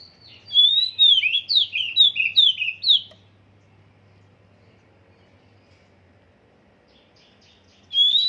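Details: Oriental magpie-robin whose song is still being trained: a quick string of about six bright, falling whistled phrases for two and a half seconds, then silence, then a clear whistle starting again at the end.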